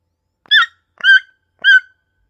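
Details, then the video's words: A toucan gives three short, nasal yelping notes, about half a second apart, each with a slight downward slur. "Som do Tucano"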